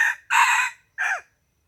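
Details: Morning crow of a wild chicken, recorded 27 February 2020: the tail of one harsh note, then a long, loud, buzzy note and a short final note that drops in pitch, with silence after.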